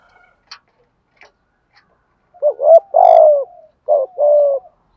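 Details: Spotted dove cooing as a lure so newly caught doves coo back: a few faint high chirps, then two low hoarse cooing phrases, each a short double note followed by a longer drawn-out, slightly falling coo.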